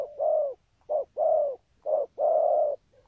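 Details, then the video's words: Spotted dove noted for a full song pattern, good rước and thúc gù, giving close-set low hollow coos. Long sustained notes alternate with short clipped ones in a quick rolling rhythm. "Chim Cu Có bài, rước tốt, có thúc gù"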